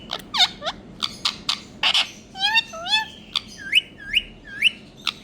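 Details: Rose-ringed parakeet, a green Indian ringneck parrot: dipping whistles and a warbling run of wavering notes, followed by four upslurred whistles spaced about half a second apart amid sharp clicks.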